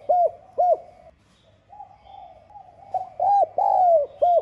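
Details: Spotted dove cooing in the 'giọng son' voice style, a 'gáy gọi - thúc' calling-and-urging coo used to provoke rival birds: two short arched coos, a pause, then a phrase of clipped coos with one long drawn-out falling note, over a faint low hum.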